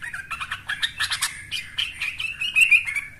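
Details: Young yellow-vented bulbul in full voice, used to prompt other birds to sing: a quick string of warbled notes that merges into a smoother, slightly higher run near the end, with a faint low hum behind.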